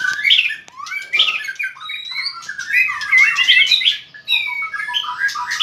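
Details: White-rumped shama in training for fighting-style singing, flicking its tail hard while singing: rich, varied run of clear whistles, slurred notes and harsh chattering phrases, loud bursts with brief pauses, no other clear sounds.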